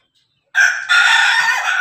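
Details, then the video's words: Ayam Ketawa chicken crowing in the afternoon: after half a second of silence a loud, rich, harmonic crow with a brief dip, then a long sustained second part to the end. "ayam ketawa hunting sore hari"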